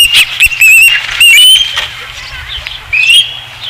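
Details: Osprey at a ranch nest on 5 August 2016; a few loud, clipped whistled chirps and a rising squeal, mixed with fluttering wing noise.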